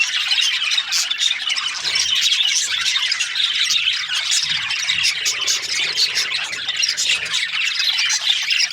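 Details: Australian budgies in constant chirping chatter, harsh squawks mixed with thin high tweets from a busy group, unbroken throughout.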